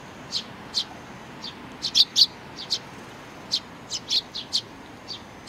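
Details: Sparrows, an adult with its chick, recorded 3 July 2019: repeated short, high, clipped chirps, a few louder paired notes, spaced irregularly through the clip.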